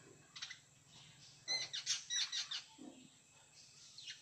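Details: A jungle babbler from Konkan, India, bursts into about seven rasping, evenly spaced notes after a quiet start, followed by a few softer squeaks.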